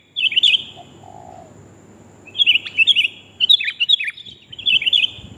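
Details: Sooty-headed bulbul female calling a male, used as a bird lure: short bursts of two or three bright, slurred chirps, separated by pauses of over a second.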